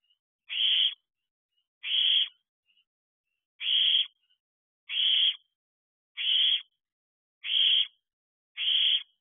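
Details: At night by its owl box in July, a young owlet that still returns hoping to be fed begs with seven breathy, rasping hisses, each about half a second long, mostly at a steady pace of about one per 1.2 seconds, with clean silence between.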